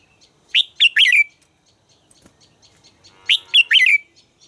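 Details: Red-whiskered bulbul in voice training, singing two matching phrases of three rich, bouncing whistles, nearly three seconds apart.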